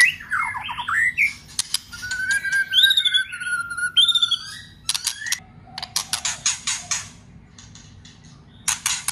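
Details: White-rumped shama song: slurred whistles and a long level whistle with rising notes, followed by a series of sharp broadband clicks and short notes.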